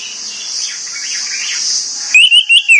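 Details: Morning song of an orange-headed thrush: a steady high hiss gives way to a quick run of four loud, clear whistled notes that wobble up and down.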